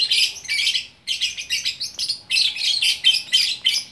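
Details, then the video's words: Shrill, scratchy chatter from a lovebird in Bukittinggi, West Sumatra, delivered in quick clustered bursts with only a momentary pause near the start. "Burung Lovebird Gacor Orkestra"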